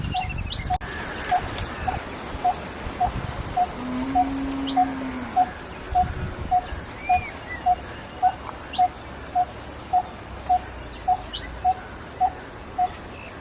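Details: Coppersmith barbet (Psilopogon haemacephalus), call.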